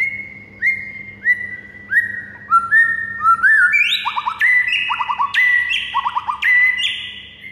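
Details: Morning song of a white-rumped shama used as masteran tutoring for other birds: a run of repeated level whistled notes about every half second, rising into higher whistles mixed with rapid stuttering trill bursts and sharp high ticks, with a faint low hum.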